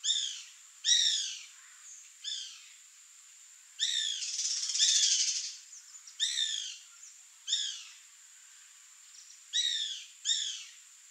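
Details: Short, high, down-slurred phrases from a bananaquit (Coereba flaveola), repeated roughly every second or two over eleven seconds. A hissy noise burst is heard near the fourth second.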